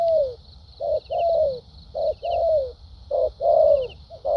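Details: Cooing of a fresh wild-caught spotted dove in structured lèo dặm and thúc gù style. Brief low note and a longer downward-gliding coo, repeated in a steady rhythm over a faint continuous high hiss.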